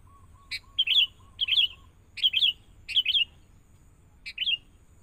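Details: Young wild sooty-headed bulbul in training with a lure bird: lively bubbling phrases of quick rippling notes repeated several times, with a soft series of low evenly spaced piping tones running underneath at the start.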